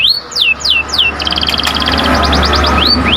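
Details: Panda canary song of descending whistled slurs and a short rapid trill, set against a loud humming, noisy background.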